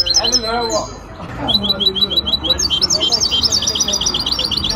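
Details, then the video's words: In a Casablanca singing competition of the Ain Chock bird association, 23 May 2021, a hybrid goldfinch pours out a long, rapid series of high, bright, rhythmic twitters and trills after a moment of human voices. "مباراة تغريد هجين الحسون"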